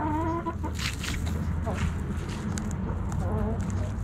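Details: Hens and roosters in a backyard flock feeding on Thanksgiving snacks. Tremulous, wavering harmonic calls open the clip and return near the end, over a steady low hum and pecking sounds.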